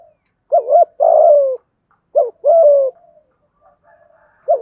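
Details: 'Thúc gù' coo of a spotted dove in the 'giọng thổ' and 'hạp bổi' voices. Two phrases of a short wobbling double note and a drawn-out descending coo, with quiet murmurs after them and another phrase starting at the end.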